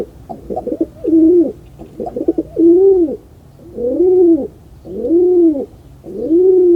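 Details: Pigeon cooing indoors: a low, rolling coo repeated about every 1.3 seconds, each phrase opening with short stuttering notes and ending in a long, smooth, arched hum; a faint low background rumble underneath.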